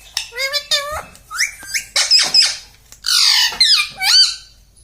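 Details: Pet parrot talking indoors, said to say mummy, papa and radhe: a rapid string of high, clear, speech-like syllables with rising and falling pitch, short pauses between words, and a quiet room behind.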